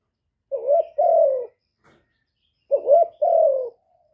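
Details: Caged spotted dove cooing as a lure for wild birds, two clear phrases each of a short wobbling note and a longer falling hoot, separated by about two seconds of silence.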